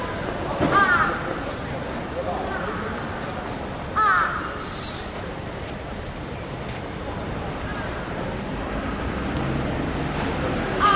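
A large-billed crow gives three short, harsh caws, widely spaced, over a steady hum of traffic.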